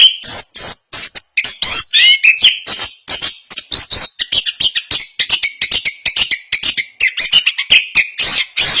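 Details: Orange-headed thrush, a national champion contest bird, singing in the fast, dense rolling ngerol style: rapid high chattering notes mixed with sliding whistles and buzzy trills, phrases following each other almost without pause.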